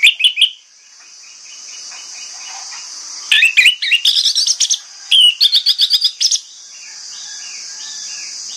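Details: Orange-headed thrush singing in the morning to lure other thrushes into answering: bursts of rapid, rising whistled notes and buzzy trills in two phrases, with a steady high hiss behind.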